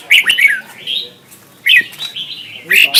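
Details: Red-whiskered bulbul in competitive duel singing, used as lure sound for training birds: two bursts of bright, chirpy whistled phrases, with slurred notes rising and falling, separated by a short quiet gap.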